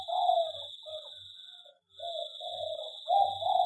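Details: Aviary zebra dove gives short, rolling coo notes, a brief silence, then more trilled coos, with a steady high whine and faint low thumps.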